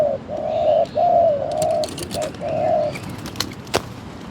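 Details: Spotted dove cooing at a decoy trap: a run of low, mellow coos, some long and some clipped, then faint clicks and rustles toward the end.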